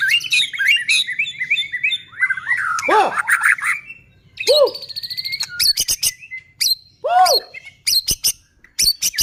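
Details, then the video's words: White-rumped shama song meant to provoke other shamas to sing: fast, loud medley of rising and falling whistles, deep swooping notes and clipped high chips, nearly continuous, with a steady low hum in the background. "Murai batu gacor AMPUH buat PANCINGAN murai batu agar bunyi JADIKAN burung murai EMOSI"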